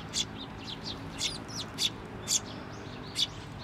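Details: A chick perched on a post calls as its parent returns, at a shrine on 16 May 2023: high, sharp, squeaky chips spaced about half a second apart, with a steady low hum behind.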